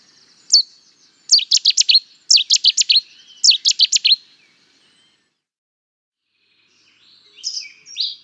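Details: An abrupt opening note, then three punchy staccato phrases of sharp, high notes from a Cetti's warbler, one after another about a second apart. A few faint calls come near the end.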